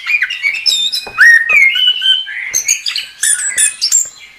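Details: Anis kembang, the chestnut-capped thrush, in full gacor song: long sliding whistles mixed with quick squeaky notes and harsh chips, delivered in a continuous, fast-changing stream.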